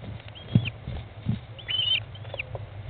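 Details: American kestrel mother feeding her 15-day-old chicks inside a nest box on 20 May 2011 at 13:54, about halfway from hatching to fledging; three high, thin squealing calls, slightly falling at the ends, over low thumps and scuffling in the box.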